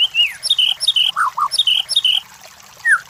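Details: White-rumped shama song played as a lure for champion competition birds: bright whistled phrases that rise and then fall, repeated about four times, with a few lower slurred notes between them.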